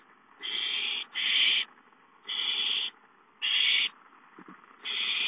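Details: Owl at its nest, watched by a live camera, as a gopher is brought in as prey. Harsh, breathy hissing bursts, each about half a second long, repeat five times with short silent gaps, steady and loud.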